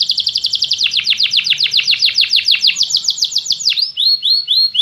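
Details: Canary giving champion-class master song: a long rapid series of high, sharply downslurred notes about four a second, ending in softer, higher upswept notes repeated more slowly.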